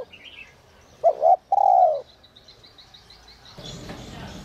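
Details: A single phrase from a spotted dove, a 'còi te te' whistle-voiced caller: two quick, rounded notes and then a drawn-out descending coo. Soft high twitters sit in the background, and a brief rustle follows.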